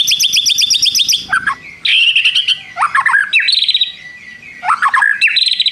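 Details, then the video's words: White-rumped shama in full song, imitating long prinia trills. Rapid, bright trilled runs give way to deep whistled slurs and rising sweeps, repeated in several loud bursts with little pause. "MURAI BATU GACOR ISIAN nembak prenjak tirrr panjang2"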